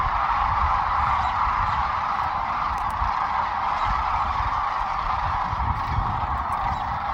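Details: Before dawn on the Platte River at Kearney, Nebraska, groups of migrating Sandhill Cranes take off and pass overhead in the dark. Their many rolling, trumpeting calls overlap into one continuous rattling roar with no pause.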